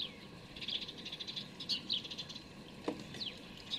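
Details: Recently fledged sparrows begging while being fed, recorded from a hide on 12 May 2019: a rapid series of shrill chirps, plus a soft thump and background rustle.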